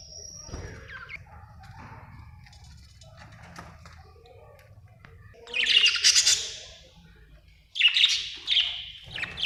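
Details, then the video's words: Budgerigar chirping: quiet, scattered twittering for about five seconds, then two loud, harsh, buzzy bursts of chatter, each lasting roughly a second, with a shorter squawk at the end. "budgie chirping sound"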